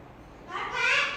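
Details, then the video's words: Pet parrot calling for its owner and trying to find them, one harsh nasal call swelling and brightening over about half a second after a quiet room hush. "My Lovely Parrot Janaan Is Calling me and Is trying to find me"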